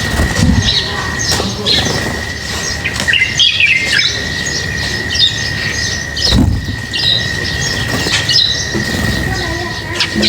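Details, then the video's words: Several lovebirds being fed squawk and chirp in a busy, overlapping chatter of sharp high notes, with occasional rustling or knocking sounds and a steady high whine in the background. "Feeding birds, their chirping is very relaxing"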